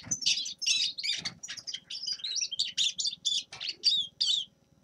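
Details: Grey-crowned goldfinch delivering a run of quick, sharp chirping notes and short tinkling trills, each burst separated by brief pauses.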